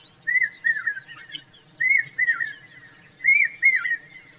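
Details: Mother Indian common babbler fanning her babies with her feathers, giving clear whistled notes that rise then drop, grouped in pairs and triplets about every one and a half seconds, over soft background chirps.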